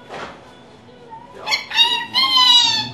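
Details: Female pet rainbow lorikeet mimicking human speech indoors; after a soft opening, a run of loud, rich, harmonic drawn-out syllables builds toward the end.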